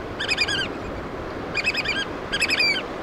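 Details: Black oystercatchers feeding young give three loud bursts of rapid, high, ringing whistles, each a tight string of about five notes, against a hiss of surf.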